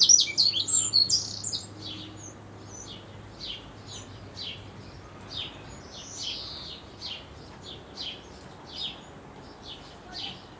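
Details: Eurasian wren nestlings begging in the last feedings before fledging; an initial loud burst of shrill squeaks, then a fast steady stream of short scratchy chirps, almost three per second.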